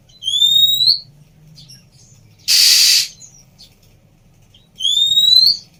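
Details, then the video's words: Whistling of a female Oriental magpie-robin, meant to stimulate a bird that went quiet: a rising thin whistle, then a loud rasping hiss-like burst, then another upward-sliding whistle, spaced roughly two seconds apart over a faint low background hum. "Siulan Burung Kacer Betina"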